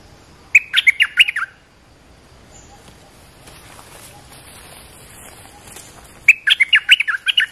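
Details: Olive-winged bulbul call used to train young birds and lure wild birds: two short bursts of quick, bubbling chirps dipping and rising, separated by a few seconds of near silence with faint background hiss.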